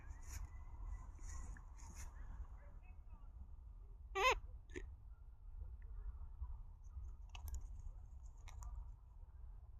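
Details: A Hahn's macaw perched on a birch gives one brief, harsh, grating squawk partway through, over a steady low rumble with a few faint clicks.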